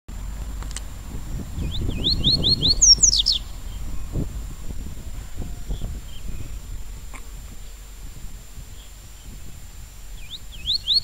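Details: Double-collared seedeater singing the tui tui song style: a quick burst of rising, buzzy upswept notes, then a short loud high flourish, with a second brief phrase near the end over steady low rumble and faint background noise.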